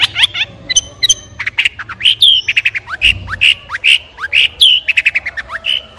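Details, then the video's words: Long-tailed shrike in full varied song: rapid chattering notes mixed with descending whistled slurs and harsh squawks, delivered in a continuous, busy stream. "Long Tailed Shrike With Beautiful Sound"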